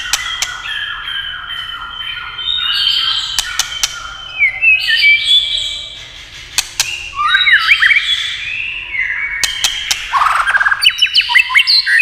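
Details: White-rumped shama song set off by tail-tapping: rich, varied whistles and quick warbled phrases, broken by loud isolated clicks, with a brief quieter pause midway before a burst of rapid notes.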